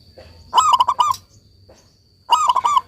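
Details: Two rapid, bubbling coo phrases from a local zebra dove in full song, over low rumbling background noise.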